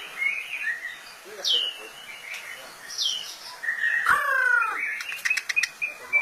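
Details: White-rumped shama giving scattered high, downward-swept whistles and a longer slurred phrase, with brief clicks and faint background sounds between notes.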